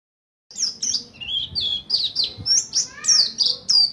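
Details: Buxtoni mountain white-eye learning the ngalas ngerol song style, used as a lure for other white-eyes: a fast run of high, sharp descending chirps, about ten notes in under four seconds, closely spaced and uneven.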